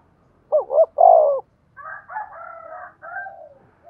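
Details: Spotted dove decoy call for provoking cooing: a single phrase of two brief wavering notes ending in a loud, longer coo, followed by a higher, warbling series of calls.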